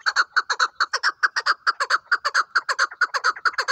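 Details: Hunting chukar partridge calling in evenly spaced, grating chuk-chuk notes, delivered in pairs at a quick, steady rhythm.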